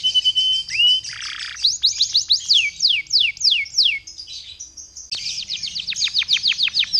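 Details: Canary lure song to spur other canaries to sing: a rising whistle and short buzz, a run of steep downward sweeps, a brief buzzy pause, then another fast series of falling notes.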